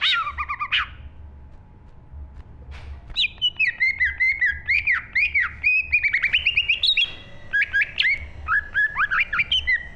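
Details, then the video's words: A green leafbird pours out full, continuous song in a 2023 recording: dense strings of liquid, warbled whistles and twittering notes, with brief gaps between fast phrases and a steady low hum underneath. "burung cucak IJO GACOR FULL ISI"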